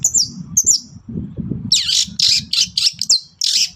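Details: Morning song of a Long-tailed shrike meant to goad other birds into replying: two high slurred whistles, then a run of harsh raspy chattering bursts over a steady low hum.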